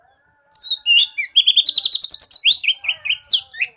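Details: Oriental magpie-robin song played to prompt a silent bird to sing: loud, varied whistled phrases with downslurred notes, then a fast run of repeated sharp chirps and rising whistles, clean background.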